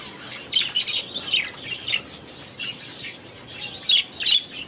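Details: Budgerigars in an aviary utter bright, high chirps and short warbled squeaks in small bursts, several in quick succession, then a pause before another cluster near the end.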